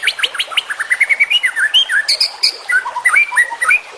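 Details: White-rumped shama master recording packed with varied phrases: quick run of clear rising whistled notes, then sweeping slurred whistles and sharp chips, delivered rapidly, around three notes per second, loud and bright.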